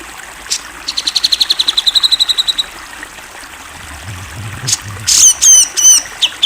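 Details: Grey-cheeked bulbul, a national champion bird, with a steady train of rapid high ticking notes, a pause with faint low murmuring, then loud ringing upslurred whistles.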